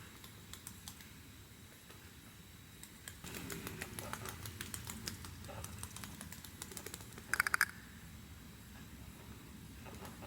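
Cockatiels' feet patter and tick, a run of soft dry clicks like light tapping, with one brief chirp.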